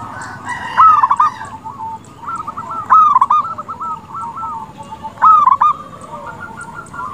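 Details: Local zebra dove song meant to provoke rival doves to respond: three strong trilled cooing phrases roughly every 2.2 seconds, joined by continuous softer rippling coos.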